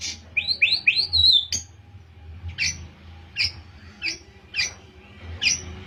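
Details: White-rumped shama, Pastol form, learning canary-like phrases, opens with three quick rising whistles and a warbled note, then gives spaced single sharp chips about every half second.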